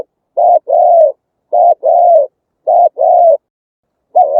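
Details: Vietnamese spotted dove singing its rhythmic song, used to lure wild doves to loudspeaker traps: four evenly spaced pairs of deep coos, a brief note then a longer flat purring coo, very clean background.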